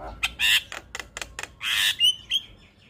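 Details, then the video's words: Champion white-eyed black-winged starling in a tutor song full of filler phrases: loud, harsh squawks and clicks ending in a couple of thin, clear whistles. "Masteran Jalak Kebo Full Isian"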